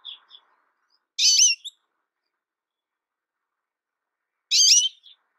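An American goldfinch gives two short, high, bright twittering phrases about three seconds apart, with a few faint chips before the first; otherwise quiet.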